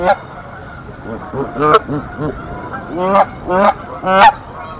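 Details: Canada geese defending their nest against an intruder goose, Decorah, 1 April 2024, nest camera: a series of harsh, nasal honks, single and doubled, rising then falling, about a dozen over a few seconds.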